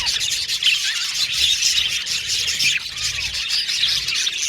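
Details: Dense warbling chatter from a budgie aviary colony, with many overlapping high chirps and a few distinct upward and downward sliding whistled notes above the constant twitter.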